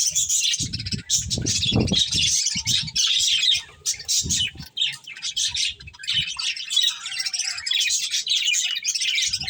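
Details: Pet budgies eating corn keep up a steady stream of squeaky, twittering chirps. Repeated low pecking and knocking thuds from feeding are mixed in.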